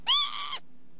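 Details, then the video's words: Northern lapwing uttering a quick, hoarse note that starts loud, swings upward and levels off, with a faint hiccup near its end. "ontspannen kievit geluid"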